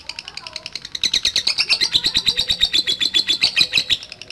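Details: Lovebird giving the long continuous chattering trill called ngekek. After a brief start, a fast, steady string of high, harsh pulses, about seven each second, runs without break for three seconds.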